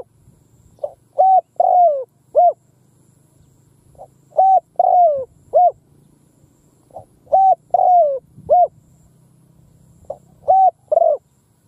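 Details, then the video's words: Spotted dove used as a decoy, cooing out in a field to draw in wild birds; four mellow three-part phrases, short note, long sliding coo, short note, repeated about every three seconds over a low steady hum. "Tiếng cu mồi đất gù gáy vang dội cánh đồng / Cu mồi đất gù phóng - Gáy chiêu Bổi giữa cánh đồng"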